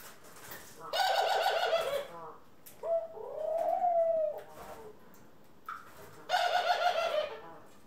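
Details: Indoor pet doves, a mix of Ringneck, Senegal and hybrid birds, April 25, 2021: a rough, throaty rolling burst, then a smooth arched coo, then another rolling burst, with faint clicks and shuffling in the room.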